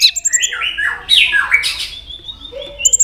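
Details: White-rumped shama in heated song: a dense sequence of warbled, sliding whistles with a few sharp high clicks at the start and end.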